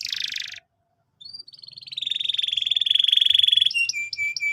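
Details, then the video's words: Canary singing to train young birds. A short buzzy burst is followed by a pause, then a steady, level rolling trill that ends in a few sharp repeated chips. "PANCINGAN BURUNG KENARI GACOR BUAT PAUD BERMENTAL TINGGI"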